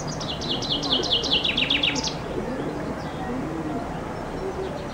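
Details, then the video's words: In summer a common chaffinch sings beneath a window, recorded with a compact camera from a loggia: a rapid descending string of bright notes lasting about two seconds, followed by faint background noise and low murmuring. "Зяблик поёт под моим окном"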